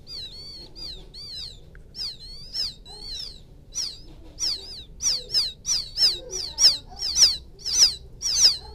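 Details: Field quail chick calling its mother: soft wavering high whistles that build into louder, quicker, downslurred chirps repeated about twice a second.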